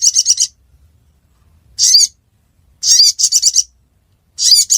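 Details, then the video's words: Ruby-cheeked sunbird recorded in Aceh, Indonesia: short clusters of rapid, piercing high notes separated by silent gaps of about a second. "Burung Sogon Suara Durasi Panjang"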